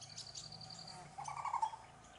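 A brown-headed barbet gives a brief, low, throaty rolling call, with a thin high whistle from another bird or insect and a faint low hum behind.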